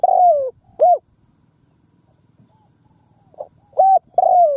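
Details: Decoy spotted dove in the countryside cooing to call in wild birds: a long falling coo and a short arched note, a long pause, then a soft note followed by a flat coo and another long descending coo.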